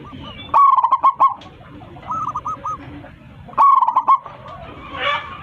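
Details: A local zebra dove with a big voice calls its flock, giving two bursts of fast, clipped cooing notes. A quieter purring phrase comes between them, and a brief scratchy noise follows at the end.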